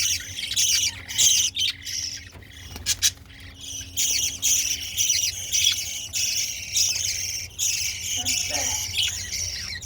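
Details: Pet budgerigars in their bird house chatter continuously with bright, scratchy warbles and chirps over a low background hum.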